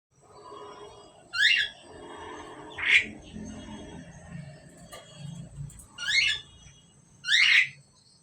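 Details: A pair of Asian pied starlings: four loud harsh, buzzy squawks with stacked chevron-shaped notes, spaced irregularly over eight seconds above a low steady hum and faint background murmur.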